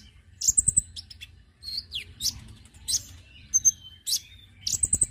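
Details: A Konin, recorded as a lure sound, gives high, thin chirps and sharp whistled notes, some sliding downward, in quick bursts about every second, with soft low thumps underneath.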